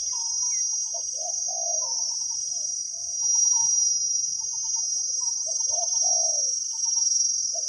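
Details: Wild spotted dove with a big voice, 'khu ang' coo type, recorded while decoy trapping in Thailand; two clusters of low coos separated by sparse notes, against a steady high-pitched insect chorus.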